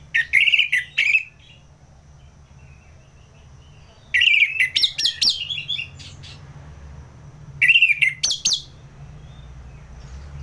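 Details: Orange-headed thrush, a contest bird from Singaraja, North Bali, singing ngeplong: three loud bursts of mixed whistles and harsh chattering notes about every four seconds, with quiet low hum between them.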